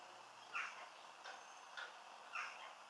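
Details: A displaying house sparrow in a garden in Cornwall gives four short, bright chirps, roughly every half second, over a soft steady hiss.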